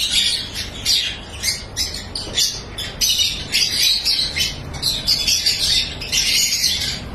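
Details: Captive lovebirds in a breeding farm chatter incessantly: sharp, high, scratchy squeaks and squawks repeated in fast, uneven pulses that swell and ebb every second or so.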